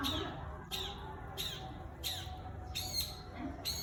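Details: Long-tailed shrike in lively song, answering wild birds, recorded on an iPhone: loud downward-sweeping strokes about every two-thirds of a second over a low rumbling background.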